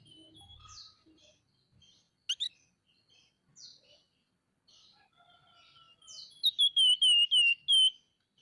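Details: Scaly-breasted munia calling loudly in nyerecet style; soft scattered chirps lead into a rapid string of bright, downslurred whistles, about six in a row near the end.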